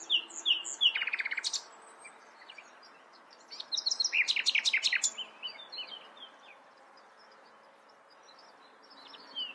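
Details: Common nightingale delivers whistled chirps and a quick rattling series, then after a pause a louder cluster of sharp repeated notes, followed by softer sliding whistles.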